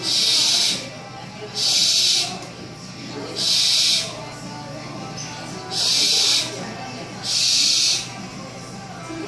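An owl gives five breathy, rasping hisses, each about a second long, spaced roughly every one and a half seconds over a faint low hum.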